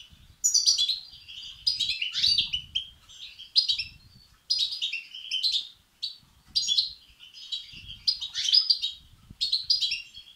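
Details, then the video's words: Begging of European goldfinch chicks, used for stimulating males; loud, high, buzzy twittering clusters repeat about every second, some phrases swelling louder, with short quiet breaks. "بتبتة وستستات فراخ الحسون الأقوى لتحفيز وتهييج الذكور"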